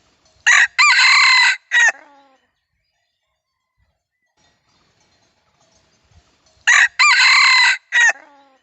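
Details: Red junglefowl crowing, recorded for playback on a Bluetooth speaker: two loud, harsh crows about six seconds apart. Each has a short opening note, a long strained middle and a clipped final syllable, over an otherwise silent background.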